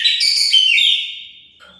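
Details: Oriental magpie-robin song played to provoke other birds to reply: a short, loud burst of rich whistled notes sliding downward, then a long thin whistle fading out.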